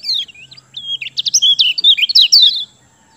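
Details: Lemon-bellied white-eye (kecial kuning) song used as a lure to get reluctant birds singing: a rapid, high twittering burst of thin whistled and chattering notes lasting about two and a half seconds, then quiet.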